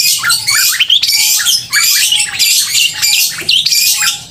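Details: Long-tailed shrike giving its crystal-clear, loud song, meant to provoke emotion and breeding urge in rival shrikes; dense high scratchy warbling with short rising whistles and a brief lower whistled note repeated between phrases.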